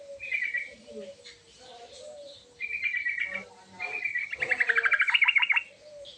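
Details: Sooty-headed bulbul with a rich, varied song that calls others to respond. Several short whistled phrases build into a fast series of sharp chirps, among low soft whistles and faint background noise.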